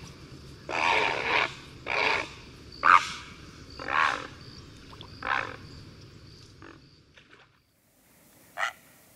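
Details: Great blue heron (Ardea herodias) call: a series of six harsh, rasping croaks about a second apart, fading toward the end, then one last squawk after a pause.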